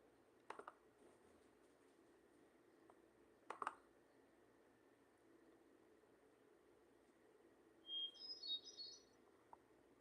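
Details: Hermit thrush (Catharus guttatus) song: a single phrase of a clear held note, then a quick, high, fluty flourish. Two sharp clicks come earlier against a quiet room.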